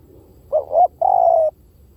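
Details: One clear phrase from a spotted dove lure recording: a quick double coo, then a longer, level-to-falling note lasting about half a second, with little else audible.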